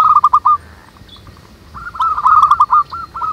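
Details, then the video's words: Local zebra doves singing manggung in the wild: a short quick series of hooked notes, a quiet gap, then a longer rolling run of rapid coos that eases into wider spacing. "SUARA BURUNG PERKUTUT MANGGUNG RAMAI DI ALAM"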